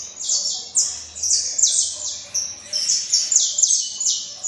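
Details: Bright, high saffron finch song, about nine strong notes spaced roughly half a second apart, each sliding downward, some with a faint buzzy edge.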